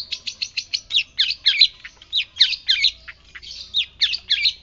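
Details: Training-style song of a white-breasted shrike meant to prompt other birds to reply: quick, sharp, high chirped notes given in short irregular clusters, some slurred and twisting, over a quiet background.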